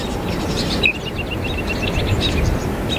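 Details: Northern mockingbird mimicking other birds; a quick even series of sharp chips repeated about eight times, under low background rumble.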